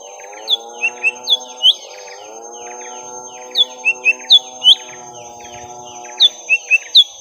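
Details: Young lesser green leafbird fighting a rival at length: bouts of four or five bright hooked whistles with buzzy chips, separated by pauses of about two seconds, above a steady humming drone.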